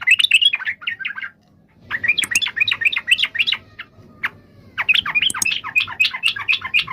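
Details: Yellow-vented bulbul giving rapid, bubbly chattering phrases, a short run, then a pause, then longer bursts of sharp warbled notes, about four per second.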